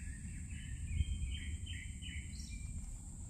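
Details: Birds singing in a forest in the morning, short warbled chirps strung together then a higher note, set against a continuous low rumbling background and steady high-pitched hiss.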